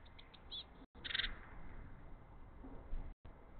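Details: Three hungry Eurasian blue tit chicks beg eagerly as their father tries to feed them mini-mealworms, giving a short burst of high, sharp chirps followed by faint scattered calls over steady background noise.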